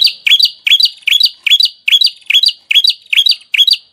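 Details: Small bird repeating one squeaky, twisting high phrase over and over, roughly twice a second, each a quick upward flick ending in a sharp note, in a masteran 'tembakan' sequence.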